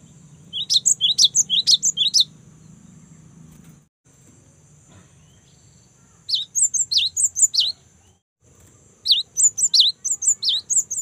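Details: Energetic song of a young cinereous tit: three bursts of bright, high, sharply slurred chirps, about eight to ten notes each, spaced several seconds apart. A low steady hiss sits in the background.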